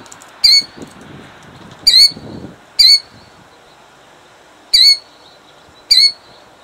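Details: A female Killdeer defending her eggs by a roadside in Jackson, New Jersey, in 2008, gives five shrill, high, slurred alarm notes at irregular one-to-two-second intervals over faint low rumbling, about five feet away.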